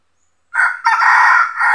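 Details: Red junglefowl rooster crowing during traditional trapping in the Philippines, where a decoy rooster lures wild males that come to fight for territory; a short rough opening note, a break, then a long harsh sustained crow.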